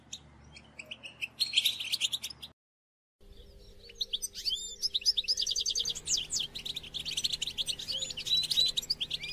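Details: Goldfinch twittering meant to stimulate captive goldfinches: chirps, a brief total silence where the sound cuts off, then renewed rapid, tinkling song with sliding whistled notes over a faint steady hum.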